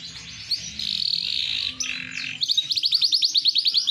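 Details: Large-type AFS canary with green-tinged plumage, kept by its owner, singing loudly: sustained buzzy high rolls followed by a fast series of repeated sharp chirps, with a low background hum.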